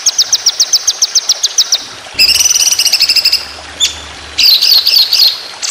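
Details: White-rumped shama contest training song in the rapid long-burst style called tembakan panjang roll speed: a quick series of high, sharp repeated whistled notes, then a dense buzzy rattle and bright warbled phrases.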